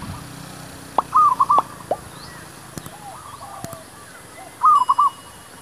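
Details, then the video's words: Zebra dove luring wild doves for trapping: two phrases of fast, fluttering coos several seconds apart, with sharp clicks and faint distant coos between them. "MEMIKAT MERBUK"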